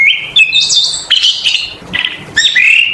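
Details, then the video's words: Oriental magpie-robin (kacer), singing hard as a lure recording: loud, rich whistled phrases mixed with scratchy, squeaky notes, delivered in quick bursts with brief pauses between. "PANCINGAN SUARA BURUNG KACER GACOR SUARA NGEMPLONG PARAH"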